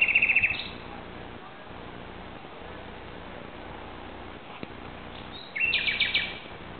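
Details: Common nightingale singing at night, 2:30am on Sunday 17 May 2009 in Barcelona, Spain: brief bursts of rapid, repeated high notes opening and closing with fast rattling trills, separated by a long pause over a steady low hum.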